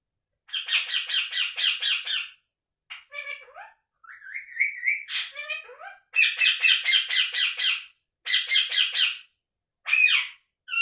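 Indian ringneck parakeet chattering nonstop: bursts of harsh, buzzy squawks mixed with rising whistles and varied mimicked sounds, with brief pauses in a quiet room.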